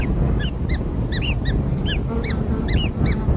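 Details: Kingfisher chicks just after hatching, fed black insects, utter quick arched squeaks in overlapping pairs and triplets, several per second, above a heavy low rumble.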